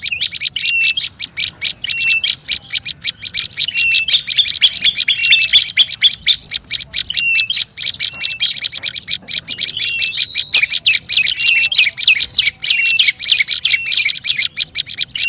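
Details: Olive-backed tailorbird in noisy, agitated calling used as a lure: dense, rapid dry chattering notes repeated without pause, with short level whistled notes slipped in between, continuous and bright throughout.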